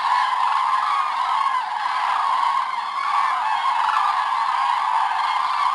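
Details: A large flock of common cranes on their morning departure at Hortobágy, Hungary, on 24 October 2010, fills the air with a continuous chorus of loud, rolling, trumpeting calls that overlap without pause.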